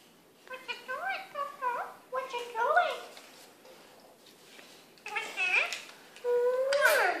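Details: A pet female Indian ringneck parakeet holds a conversation with a person indoors, producing repeated wavering, sliding speech-like phrases in several bursts, the last one a loud rising squawk.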